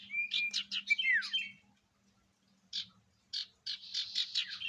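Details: Sirtu in full song, a lure recording for kept songbirds showing varied song fillers: a fast burst of sharp chirps and a falling whistle, a pause, then clustered buzzy trilled notes. A faint low hum sits underneath.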